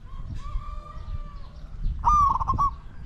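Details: Spotted dove during decoy luring of wild doves: a faint drawn-out tone, then one loud, clipped, rolling coo near the end, over light background rumble.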